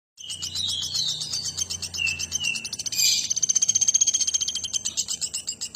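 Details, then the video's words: Nuthatch singing actively: a fast, rattling series of high sharp chips, about four per second, mixed with short whistled notes lower down, growing louder and more evenly pulsed midway, with a faint low hum underneath. "Burung Pelatuk Batu Gacor"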